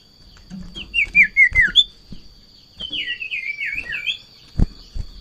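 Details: An over-excited Sirtu in breeding condition, reacting to a rival or a female, gives a rapid run of descending whistled slurs, pauses, then a longer wavering warbled phrase. A sharp click and a constant thin tone run underneath.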